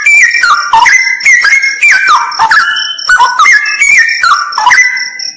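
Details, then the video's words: Straw-headed bulbul in a cave said to be haunted, pouring out rich, gurgling whistled phrases that step up and down, with a steady high tone at the end. "MP3 suara cucak rawa"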